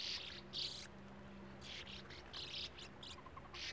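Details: Sand martins calling at a colony of nesting burrows in an earth mound beside a gravel-pit lake; loud rasping bursts, two early and several later, separated by brief quiet gaps.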